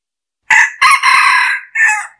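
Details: A red junglefowl crows once, a lure call: a clipped opening note, a long harsh middle phrase, and a short final syllable, all within two seconds, with no other sounds.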